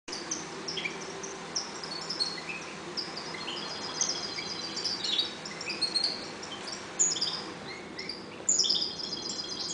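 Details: Caged European goldfinches, calm and breeding in a 1.20 cage, give scattered high twittering notes and short trills, fairly soft over a steady background hiss, with occasional rising slurred whistles.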